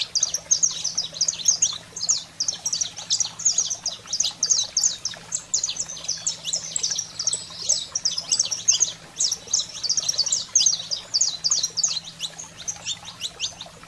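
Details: Saffron finch in fired-up 'fogo selvagem' singing, used to excite canaries: long, nearly unbroken stream of rapid high chirps and sharp twittering notes, loud and busy throughout, a low steady hum faintly present.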